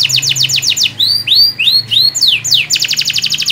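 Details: Canary in full, vigorous song, used as a lure to get a silent canary singing: rapid high trills, then sweeping whistled arcs rising and falling, ending in a fast even trill, with a low steady hum beneath.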